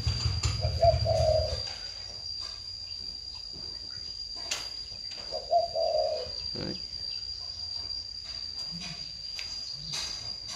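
Spotted dove giving soft, low cooing phrases, two bursts about four seconds apart, over a steady high electrical whine and faint background chatter.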